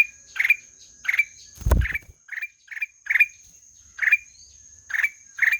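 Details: Black-naped oriole giving short buzzy notes, each with a brief rising tail, repeated about every half second to second. One low thump partway through.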